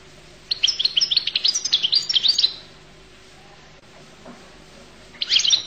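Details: Collo (القل) goldfinch delivering a two-second run of fast, liquid twitters and jingling high notes, then silence before a short new phrase begins at the end.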